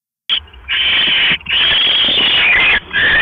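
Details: Owl at the nest around 11:21 PM on 5 October 2015 while the male arrives with a rat for the female on eggs; long, drawn-out harsh hissing screeches, broken only by two brief pauses.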